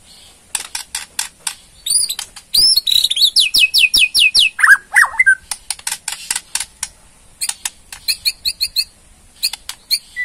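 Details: Borneo white-rumped shama rattling ketrekan, meant to provoke other birds: scattered clicks, looping whistled notes, a rapid run of descending slurs, then repeated dry ticks about a hundred per minute.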